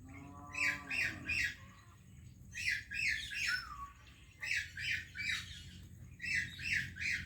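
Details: An Indian parrot greets a Pakistani parrot with bursts of three scratchy squawks, separated by short gaps. A lower, wavering tonal sound opens the passage, and one squawk slides downward.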